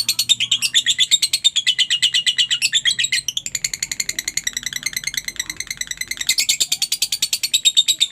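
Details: Lovebird chatter played to get quiet lovebirds calling back: continuous rapid, high-pitched chirping, the tone shifting in pitch several times.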